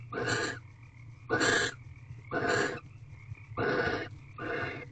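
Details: Mating barn owls inside an owl box before dawn, 5:19 am, March 9, 2023: five raspy, noisy screech-hisses, evenly spaced about a second apart, over a constant low hum and a faint steady tone.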